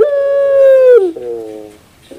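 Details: Collared dove holding a long, steady, hollow coo for about a second, dropping into a softer, lower, slowly fading tail note.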